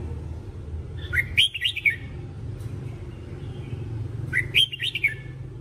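A red-whiskered bulbul sings two short, bright phrases of liquid, warbled notes about three seconds apart, over a low rumble of traffic.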